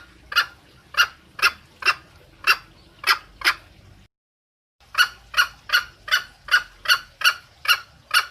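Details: Lure call of a hen green junglefowl seeking the male: repeated coarse, clipped clucks at a brisk pace, with a brief silent pause before a faster run of notes.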